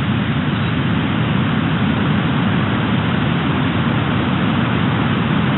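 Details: Loud, constant engine drone, like an idling vehicle, with no animal sounds audible.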